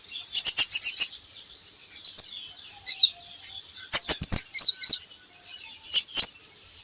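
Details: A van Hasselt's sunbird gives high squeaky chirps between bursts of rapid clicking, a recording intended to stimulate captive birds to sing.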